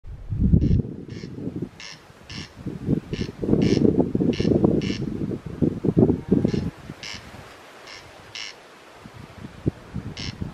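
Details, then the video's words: An unseen corncrake near a hostel on Colonsay gives dry, rasping double notes, 'crex-crex', repeated about every second, over a heavy low rumble of wind. "Sound of the Invisible Corncrake"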